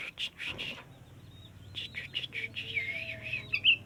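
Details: Sooty-headed bulbul, a kept bird, with a short burst of warbled notes, a pause, then a longer run of chattering, rolling song ending in a bright high note; faint low hum underneath.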